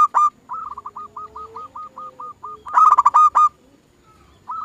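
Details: Zebra dove song used to prompt other doves: a long string of soft, evenly repeated notes under a low hum, then a louder burst of rapid ringing cooing notes.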